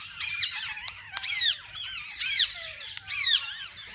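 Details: In a walk-in aviary with mixed parakeets, loud harmonic squawks with bent, wavering notes come in bursts about once a second, punctuated by sharp clicks, against quieter chatter.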